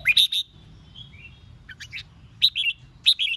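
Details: Competitive song of a Red-whiskered bulbul, used to provoke rivals into answering: loud clipped chirpy phrases and a thin whistled note, then two bright bubbly bursts about half a second apart, with a soft low hum underneath.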